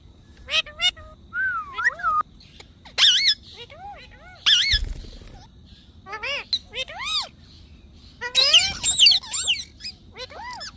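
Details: Talking parrot mixing rising-falling voice-like phrases with loud rasping squawks, the busiest bout of chatter coming near the end.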